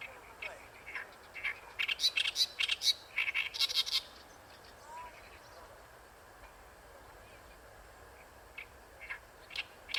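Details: Oriental reed warbler singing at Ikejima; a loud burst of rapid, harsh chattering notes, then a quiet pause, then a few scattered chirps.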